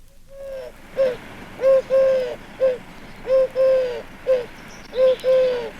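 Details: Eurasian Collared Dove in English outer-suburb gardens cooing in repeated three-note phrases, a short note then a longer one, about every one and a half seconds, against clucking hens and a singing Robin.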